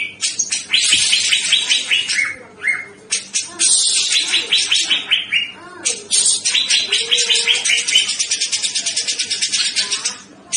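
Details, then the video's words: Grey-cheeked bulbul (cucak jenggot) delivering a nonstop, high chattering song of rapid repeated notes, often in descending runs, with barely a pause across ten seconds. "CUCAK JENGGOT GACOR SUPER PEDAS"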